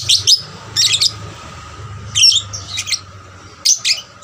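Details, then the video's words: Lovebird trainer bird chattering to provoke rival lovebirds: repeated groups of high, squeaky chirps and twitters about every second, with a faint low hum beneath. "pancingan lovebird paud rajin bunyi... merangsang lovebird lain lebih gacor"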